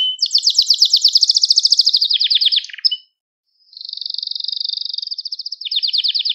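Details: Gloster canary singing to excite and train other canaries: a long fast trill dropping into lower rolling notes, a pause, then a smooth buzzy trill and another repeated-note tour.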